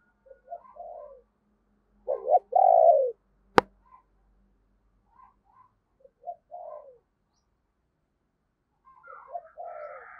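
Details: Caged decoy spotted dove giving thúc and gáy calls to lure wild doves: hoarse, low cooing phrases in short bursts, one louder drawn-out coo near the middle, a sharp click, then quieter coos returning at the end.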